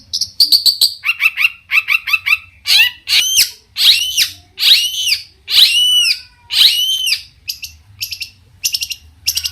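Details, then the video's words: Long-tailed shrike in lively song that sets off neighbouring shrikes: quick chips and mid-pitched chattering, then loud ringing downslurred whistles about once a second, ending in a few thin high notes. "cendet gacor Variasi BIANGNYA bikin cendet lain emosi ikutan bunyi langsung NYAUT"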